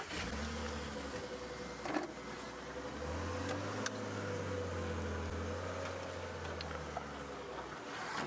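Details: Steady hum of a car driving, with low engine drone and road noise; no animal sounds.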